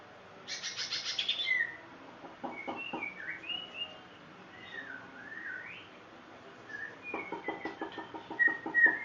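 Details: White-rumped shama song of harsh buzzy rattles alternating with soft whistled slurs, building to sharper bright notes near the end.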